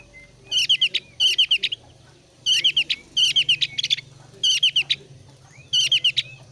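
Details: Javan grey-throated white-eye (thin-browed form) in breeding condition, singing in quick bursts of bright, chattering, twittering notes, each about a second long and repeated every second or two, used as a lure to make other birds sing.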